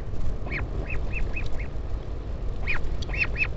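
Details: Parent northern royal albatross visiting its chick at the Taiaroa Head colony near Dunedin, New Zealand, on 16 July 2019; quick series of short rising-falling nasal notes, a pause, then another run, with wind rumbling underneath.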